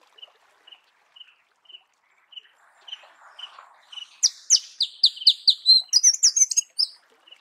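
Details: Soft, evenly spaced chips from a Marico sunbird in natural habitat, followed by a louder phrase of quick, high, descending notes and squeaks.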